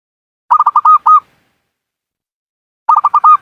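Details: Local Javanese zebra dove from Cilacap, Central Java, singing actively: a quick phrase of clipped cooing notes near mid pitch, one longer note at the end, then silence and the same staccato phrase again.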